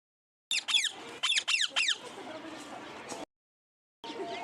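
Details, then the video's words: Parrot giving two bursts of loud, harsh screeches, several sharp descending notes in quick succession, followed by a rough trailing rasp and a quieter noisy stretch after a brief gap. "Parrot sound || natural parrot sound"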